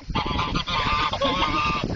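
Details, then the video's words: Geese at Spruce Haven Zoo, Sault Ste. Marie, advancing aggressively and honking at a visitor: a dense, overlapping chorus of loud, harsh nasal barks, almost continuous for two seconds with a brief gap near the middle. "These geese are barking mad"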